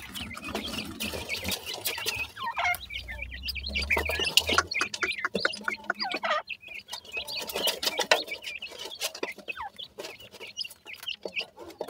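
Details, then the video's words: Grey francolin chicks chattering together, a dense stream of short high peeps and downward-slurred chirps overlapping in quick succession, with occasional wing flutters and a brief low hum. "pheasant chicks talk,baby partridge are big great,titur k bachay"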